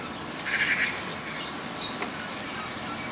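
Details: Some of a flock of 33 waxwings visiting a garden in Prestwick, Ayrshire, Scotland, in early April 2009, give high, thin, silvery trilling calls, several overlapping in a soft continuous chorus, with a faint background hiss.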